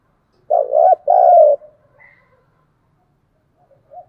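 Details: Calling spotted dove meant to lure and stimulate other doves: two loud, husky, wavering low coos in quick succession, followed by quiet trailing notes and a faint short coo near the end.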